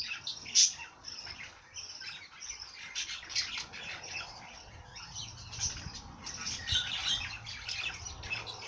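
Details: Birds singing: a dense, continuous chatter of high chirps and squeaky notes from several overlapping voices, with one sharper squawk near the start.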